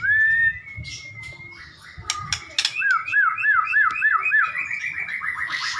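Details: White-rumped shama singing: a long clear whistle, then a series of looping whistled notes repeated about three times a second, with some clicks and background noise.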